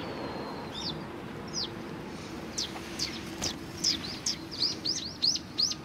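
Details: Sparrows calling at a Japanese Tenmangu shrine on 1 February 2020. Scattered high chirps build into a fast, excited run of bright downslurred notes near the end.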